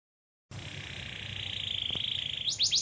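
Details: Kept canary singing in the long-duration gacor style: after a brief silence a steady buzzy trill holds high and level for about two seconds, growing louder, then breaks into quick falling whistled sweeps at the end.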